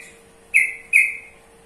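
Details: A pair of clear, sharp whistled notes from a sooty-headed bulbul (trucukan), evenly spaced and each dropping slightly in pitch, against a quiet electrical hum.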